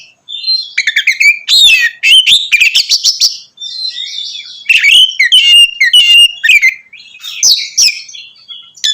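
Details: Oriental magpie-robin singing a loud ngeplong song used to provoke other magpie-robins; begins with a steady whistle, then fast chattering chirps and varied whistled phrases, softer trailing notes toward the end.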